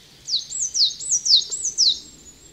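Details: A coal tit at a bird pond in a garden in the Veluwe gives thin, high, quickly repeated two-note phrases, about two each second, each a brief rising-then-falling sweep, over a quiet background.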